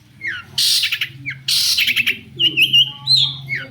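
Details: Lure song of a long-tailed shrike meant to make other shrikes answer, with two loud rasping screeches separated by downslurred whistles, then quavering whistled warbles, all above a steady low electrical hum.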